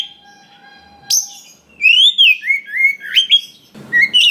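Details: White-rumped shama of forest origin in song for prompting other shamas: after a quiet start with a low hum, loud looping whistles rise and fall in quick succession, broken by a short noisy burst.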